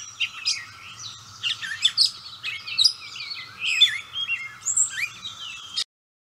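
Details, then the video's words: Gray catbird singing heartily with an observer nearby; varied mewing slurs, squeaks and short whistled notes in an irregular jumble for nearly six seconds, then abrupt silence, a low hum beneath. "Gray Catbird Song"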